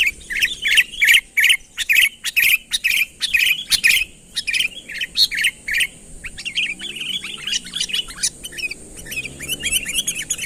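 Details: Sooty-headed bulbul calling vigorously to bring a rival closer, pure natural voice: loud clipped chirp phrases repeated nearly three times a second, then softer, quicker twittering notes; steady high background whine.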